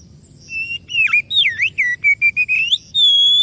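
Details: Lure song of an Oriental magpie-robin: a fast string of swooping and level whistled notes, about two per second, ending in a long steady high whistle.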